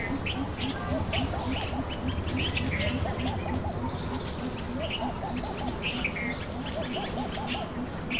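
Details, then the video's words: A greater coucal in a neighbourhood in Gurugram, India, gives a deep, baritone, hollow series of evenly spaced hoots, lowering its head to call, while bulbuls and pigeons chirp and twitter over a low background rumble. "What does a greater coucal sound like? Call of the greater coucal"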